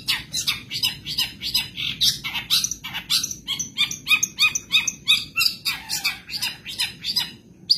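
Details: Caged Madura long-tailed shrike sings a 2023 tutor track full of imitated phrases: a continuous stream of scratchy, high chattered notes, roughly three per second, with occasional clearer whistles mixed in.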